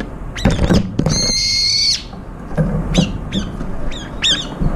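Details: Brown-eared bulbuls jostling for food as a group eats; a few sharp downslurred notes lead into a long, shrill, wavering screech, followed by a scatter of short, harsh, down-flicking calls.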